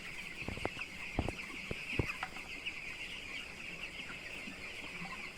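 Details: Broiler chicks at day 12 on a poultry farm. A constant wash of high-pitched peeping from a large flock, with a few sharp knocks and taps near the start and low background rumble.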